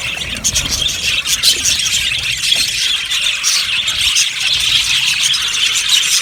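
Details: Aviary budgerigars, yellow birds in a colony, chattering nonstop: a thick blend of high chirps, squeaks and buzzy warbles from many birds at once, steady in loudness throughout.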